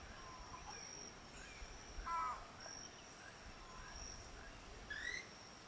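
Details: At Rio Santiago in Honduras, a keel-billed motmot gives one brief hoarse croak midway, among faint chirps and whistles of other forest birds over a constant high-pitched insect tone.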